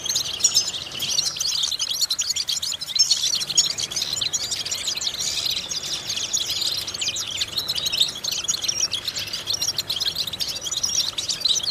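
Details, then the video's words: European goldfinch song used as vocal exercises to stimulate and train goldfinches: a dense, continuous high twittering of rapid chirps and trills, with bright tinkling notes and no pauses, over faint background hiss. "important vocal exercises necessary to stimulate goldfinches"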